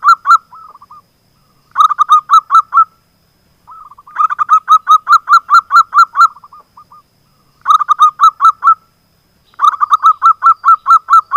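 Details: Zebra dove, a local bird, singing as a lure to draw silent doves into song: soft bubbly cooing notes near one pitch, delivered in fast trilled bursts of about ten notes, each burst ending in lower trailing coos, repeated every two seconds.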